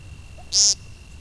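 An American Woodcock gives one short, nasal, buzzy peent lasting about a fifth of a second. A faint steady high hum sits in the background.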